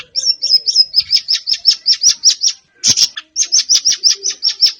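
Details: Siri-siri bird, heard as a lure to get a kept bird singing: steady runs of high, slightly buzzy chip notes repeating rapidly, one short pause, then the series resumes.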